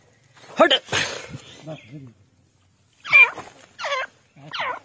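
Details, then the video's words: Grey francolin, called desi teetar or white partridge, with an indistinct noisy sound first, then three loud curved harmonic calls repeated roughly every three-quarters of a second. "Desi Teetar ki awaz"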